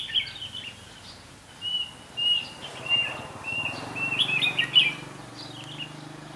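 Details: Red-whiskered bulbul singing as a decoy during trapping: short, clear whistles in a steady series, ending in a louder cluster of sharp chirped notes, with a low hum underneath.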